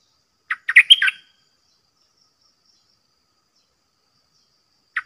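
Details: Red-whiskered bulbul in a cage, competing with wild birds and singing constantly. One rapid burst of tumbling whistled notes, followed near the end by a single short chirp.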